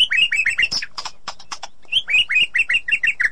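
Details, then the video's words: White-rumped shama song played to a non-singing pet bird: quick repeated descending whistled notes, a short burst of harsh noisy chatter, then the falling whistles return in a steady run. "Ocehan Murai Batu || Therapi Sangat Cocok Untuk Mengatasi Murai Batu Macet"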